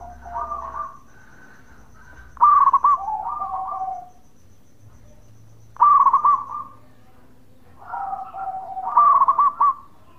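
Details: Local zebra dove singing bekur, a call to provoke answers from other doves. Four bursts of rapid, rolling coos sound every few seconds, each loud start trailing into a lower purr, with silences between.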